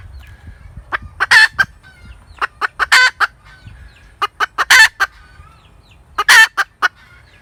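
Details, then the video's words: Cackling hen repeating phrases of several brisk clucks followed by an emphatic, prolonged harsh note, roughly every one and a half seconds. "ສຽງໄກ່ແມ່ກະຕາກ suab poj qaib tsauj zoo"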